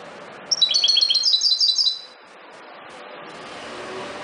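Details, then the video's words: Field European goldfinch, subspecies parva, delivering a quick burst of high, tinkling twitters for about a second and a half against steady background hiss, apparently passing traffic. "Jilguero campero (Carduelis carduelis) - Canto"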